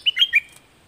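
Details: Red-whiskered bulbul singing one brief, clear warbled phrase of three quick liquid notes that dip and rise, finished in under half a second, against a quiet background.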